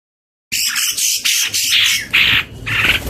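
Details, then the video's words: Chorus of several leafbirds, males and females including a pair, singing together: after half a second of silence, harsh squawky high bursts and chattering phrases follow one another, about two per second, some notes sharper and whistled. "CAK IJO dalam paduan suara"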